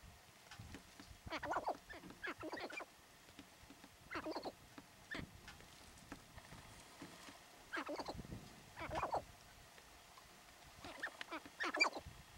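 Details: Sharp-tailed grouse being territorial in Theodore Roosevelt National Park, North Unit: bursts of harsh, rapid clucking and cackling notes in clusters, several groups spread across the recording with quiet gaps between them.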